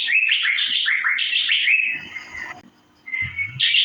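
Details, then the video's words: Asian fairy-bluebird master sound: a bright series of quick looping chirps falling and rising in a steady run, then a pause and a single held whistle before chirping resumes. "Birds Cirphing Master Sound Effect Cucak Biru/Irena Puella"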